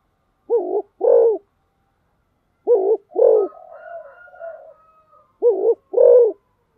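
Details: Spotted dove giving 'thúc gù' speed cooing, three evenly spaced pairs of low, mellow coos, short then long, with a quiet wavering whistle between the second and third pairs.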